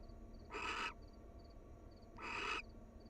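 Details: Two harsh, breathy screeches from wild barn owls bonding as a pair at their nest, each roughly half a second, spaced about one and a half seconds apart over low background hum.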